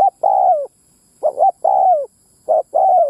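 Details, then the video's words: Spotted dove call used to attract wild males and females: three mellow phrases, long level coos dropping at the close, each preceded by a brief double note. "Tiếng mồi đất rút bổi cu bổi mái"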